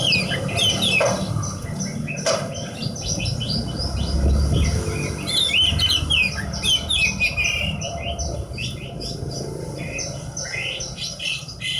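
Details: Long, fast twittering song from a Horsfield's bush lark kept by a bird hobbyist, dense chirps and whistled notes running almost nonstop, with a few sharp clicks and low background hum.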